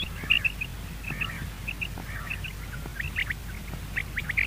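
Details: Common quail (Coturnix coturnix) call, presented as a quail sound for morning hunting: short, liquid, clipped notes in quick bunches of two or three, repeated about every second, over a low steady rumble.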